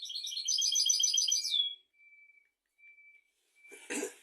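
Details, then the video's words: European goldfinch song for tutoring young goldfinches and canaries: a fast run of bright, buzzy trilled notes lasting about one and a half seconds, then thin sustained whistles and a short noisy burst near the end. "تغريد طائر الحسون ملكي 👑♥️ لتعليم طيور الحسون والكناري بدون أخطاء"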